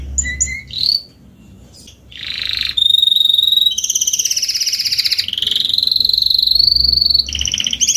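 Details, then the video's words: Adult Spanish Timbrado canary in salsa style, starting with scattered short notes and a buzzy burst, then settling into long continuous metallic rolls that step between pitches. "CANTO CANÁRIO SALSA ESPANHOL/ESPANHOLINHA"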